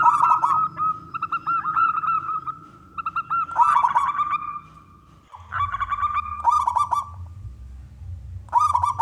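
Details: A loud local zebra dove of wild origin, kept for its strong song and used to lure other doves into calling: several rolling trilled phrases broken by short pauses, each opening with a sharp accent, over a low humming background.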